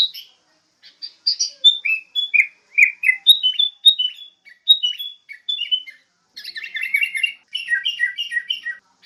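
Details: Sooty-headed bulbul, song played to train songbirds: scattered chips open into a long line of mellow whistled notes, then a lively burst of repeated bubbling two-note phrases.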